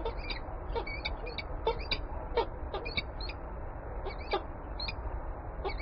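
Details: Peregrine falcon calling in Warsaw, Poland: rapid runs of sharp, high, chattering notes in uneven bursts, some doubled, clearly above a strong continuous low urban roar.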